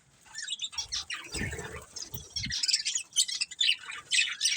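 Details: Breeding pair of budgerigars giving softer high chirps and warbling chatter, with low rustling and knocking sounds in the middle.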